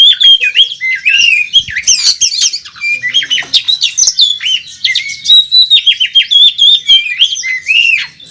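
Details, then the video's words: Fighting Oriental magpie-robin on a competition track delivering full, loud song: clear whistled phrases, dipping and rising slurs and scratchy squeaks, repeated in fast succession. "Burung Kacer Tarung Ngobra ngotot saat di trek"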